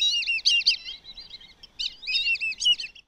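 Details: Whistling ducks, found mainly in the south and named for their calls, giving high, thin squealing whistles in quick chattering series, a steady run of wavering notes, a brief pause, then another burst.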